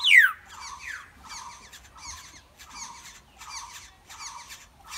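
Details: Black-hooded oriole chicks in the nest, being fed: a loud falling sweep opens, then regular bursts of scratchy, buzzy chirps roughly once a second.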